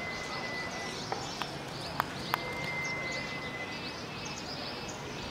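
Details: Common Iora (Aegithina tiphia) at Solapur gives a long, thin, level whistle held about two seconds, then draws it out again, over steady background hiss and a few sharp clicks.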